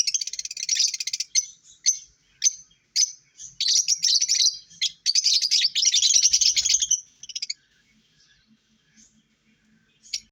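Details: About seven seconds of dense, high, rasping lovebird chatter and squeaks, then near quiet with faint notes and one last squeak.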